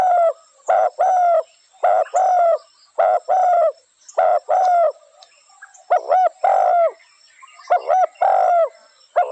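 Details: Spotted dove giving repeated coo phrases, each a quick paired note then a sustained, slightly falling coo, repeated about once a second over a quiet background.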